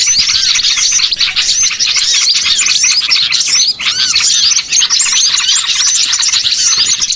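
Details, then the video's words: Flock of small birds chattering as a lure to draw birds for catching: thick layers of high tweets and arched whistles run without break, with one brief gap near the middle. "MP3 PIKAT BURCIL"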